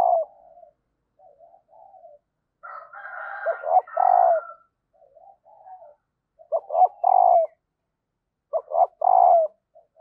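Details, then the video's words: {'caption': 'Female spotted dove calling to coax males into cooing: repeated phrases of quick coos ending in a long throbbing coo, soft murmurs between, and a brief overlapping higher, harsher bird sound in one phrase.'} "Bổi lười gáy và lâu nổi vì anh em chưa mở vdeo này/ tieng cu mai kich trong"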